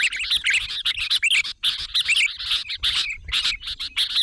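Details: Lure call of sooty-headed bulbul drawing others in: rapid overlapping chirps and bubbly warbled notes, several birds seemingly at once, steady chatter throughout.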